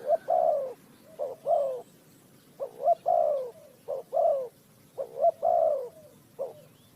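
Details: Wild spotted dove (cu gáy) recorded for bird trapping in Ninh Thuận, giving repeated low hollow coos: paired short notes leading into a longer sliding coo, steady series of five phrases.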